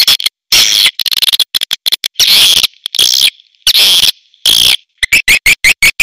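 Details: Premium swiftlet sound: buzzy, shrill twittering bursts alternating with clicking series, closing with a string of short, rising chirps.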